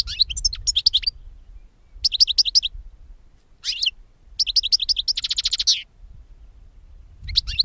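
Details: European goldfinch song for attracting birds to be caught: repeated rapid trills of high tinkling notes, several phrases with short pauses, one ending in a dry buzzy rattle.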